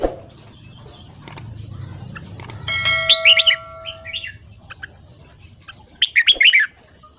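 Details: Red-whiskered bulbul singing in the morning, a training recording in ché style: after a quiet start, clusters of quick chattering warbles arrive in two bursts, with a sustained tonal ringing sound in the middle and background hiss.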